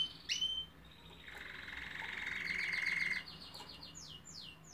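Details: Canary song opening with a sharp high sweep, then a sustained rapid buzzy trill at a steady lower pitch for about two seconds, followed by a fast series of high pulsed notes and descending whistled sweeps.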